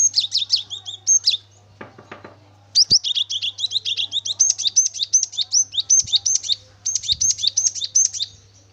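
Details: Cinereous tit in full chattering song, used as a lure to get other birds of its kind singing: fast series of sharp, high, doubled notes, each pair dipping, repeated about three per second in long bursts, with a brief lower rattle near two seconds.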